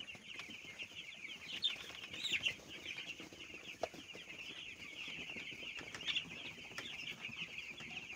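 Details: Young broiler chicks on a rearing farm: a dense, continuous chorus of high, thin peeps from many chicks at once, overlapping chirps with a few louder bursts near the second and sixth seconds, plus faint low rustling.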